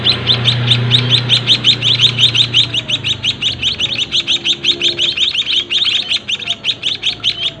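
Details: Nine-day-old cage-bred White-headed munia chicks in a small cage, fed by their own parents, beg with a fast, steady stream of thin, high chirps, about five a second, over a faint low rumble.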